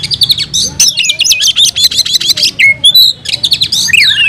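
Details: Fighting-mode song of an oriental magpie-robin (kacer) unloading mimicked fill-ins: continuous rapid, buzzy high chatter broken by one clear falling whistle near the middle, then more jumbled twittering.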